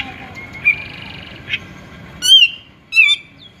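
A Grey-cheeked bulbul gives two loud, wavering, slightly burry whistled phrases about half a second apart, after faint earlier chirps over a soft background hum.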